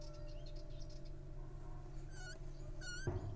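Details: Little owl squeaking while grappling: faint high squeaks early on, then two clear, harmonic-rich squeaks that fall slightly in pitch near the end, over a steady low hum, with a short knock at the close.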